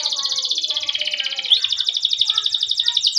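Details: Canary long rolling song, a training recording used as a lure for other canaries: a fast, continuous rattling trill held high, with softer lower warbled notes underneath and a brief upward slur midway.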